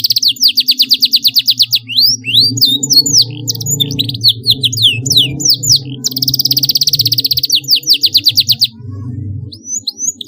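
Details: Canary song used to coax young birds into learning sounds: fast rattling trills alternating with clusters of sharp swept chirps, and a second long trill in the middle, all over a steady low drone.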